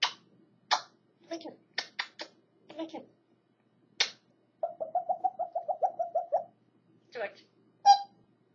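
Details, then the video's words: Pet grey parrot learning to talk mimics clicks, short speech-like words, then a rapid buzzy trill of about fifteen pulses and a few whistles, in a quiet room. "AFRICAN GREY PARROT "GEORGE" LEARNING TO TALK"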